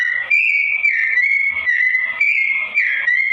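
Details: Slow-toned song of a sooty-headed bulbul in full voice, with steady, level whistled notes linked by quick downward and upward slurs, about two notes a second, running without a break.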